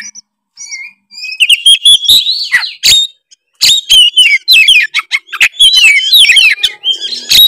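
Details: Oriental magpie-robin, Tretes type, in full varied song used to provoke rivals: a quiet start, then dense high whistles and sweeping slurred notes mixed with harsh buzzy bursts, with short breaks between phrases.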